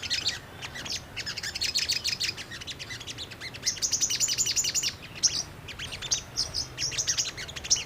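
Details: Lure recording of brown-throated sunbird, meant to prompt a reply: dense, high-pitched, twittering chirps in fast bursts, with sharp thin notes between phrases.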